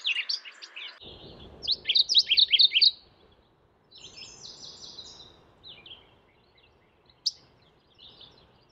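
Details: Mourning warbler calling in a fast, rolling series of burry high notes, repeated about six times, with other birds chirping faintly and a low rumble in the background.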